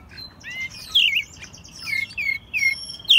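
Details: Hand-raised American robin singing in Mexico City during March 2020; a soft sequence of high chirped and slurred whistles, with three clearer downward phrases near the end.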